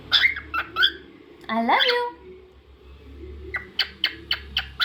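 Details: Pet cockatiel gives a few sharp chirps, then a rising harsh squawk, and ends with a quick row of short clipped notes against a low background hum.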